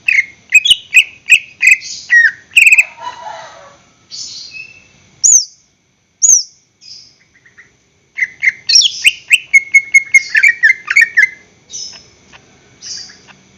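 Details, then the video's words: Caged greater green leafbird in long full song used as a lure for other birds: rapid runs of whistled slurs, a low rattling phrase, isolated high clear notes separated by pauses, then a dense twittering burst with fast trills. "PANCINGAN gacor cucak hijau suara Full panjang untuk pancingan burung bahan agar SELALU GACOR"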